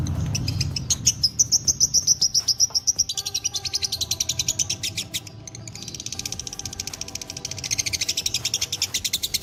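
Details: Fighter lovebird, dobel minor strain, in its long ngekek trill: a sustained stream of fast, sharp, high-pitched pulses, about three or four per second, shifting into a denser, scratchier chatter partway through, with some background hum.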